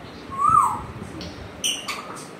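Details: Pet African grey parrot at home: one clear, slightly arched whistle, then a few faint clicks and short raspy notes.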